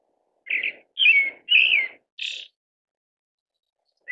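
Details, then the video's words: Pale thrush voice: four short, clear whistled phrases about half a second apart, the middle two loudest with a wavering downward slur, followed by quiet. "白腹鶇/ Pale Thrush"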